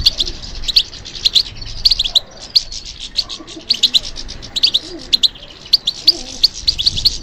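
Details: European goldfinch singing in response to stimulation: dense, rapid twittering of bright, high chirps and trills in bursts, with short pauses between phrases and a faint low background rumble.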